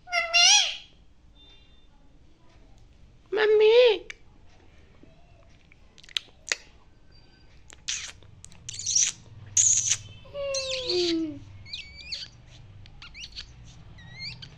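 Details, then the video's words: Indian parrot calling loudly indoors, saying "mummy": a few loud harmonic bursts, then scattered clicks, shorter sliding notes and small hooked chirps, with faint music underneath. "mammy mammy speaking parrot || talking loud indian parrot"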